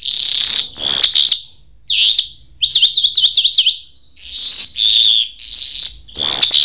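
A high, bright Jal bird song of sweet, buzzy whistled phrases broken by a rapid wavering trill, with short pauses between bursts.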